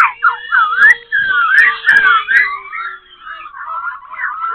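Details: Black-throated laughingthrush at Tân Túc, Bình Chánh, changing its voice while singing: swooping, slurred whistles rising and falling in quick succession, fading to softer warbling, with faint clicks and a low steady tone.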